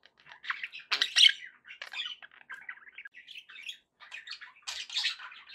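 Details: Budgerigar chatter for pet parakeets, to keep them company; scattered short chirps and scratchy warbles, one louder squawky burst early, irregular quiet gaps between notes.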